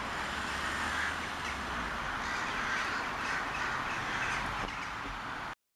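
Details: A crow 'wedding' gathering in Sevastopol, filmed with a Toshiba Camileo P30, is heard as a thick wash of overlapping scratchy caws from many birds, unbroken until the sound cuts off abruptly near the end.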